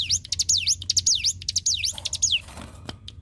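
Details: Energetic song of a Hill Prinia (ciblek gunung), used as tutor material for magpie-robin, leafbird and shama: a fast run of bright, swooping whistles that dip and climb again, ending in softer scratchy notes.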